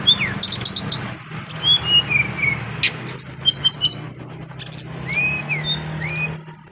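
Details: Clear, varied song of an adult brown-chested jungle flycatcher: thin sliding whistles, rapid twittering bursts and short chip series, delivered in lively, changing phrases above a steady low drone.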